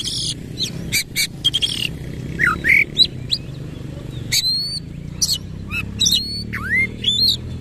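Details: Oriental magpie-robin, tail fully spread, singing in rapid 'nembak ngerol' fashion: harsh chattering bursts at first, then clear down-slurred and up-slurred whistles and a deep dipping note, against a faint low hum.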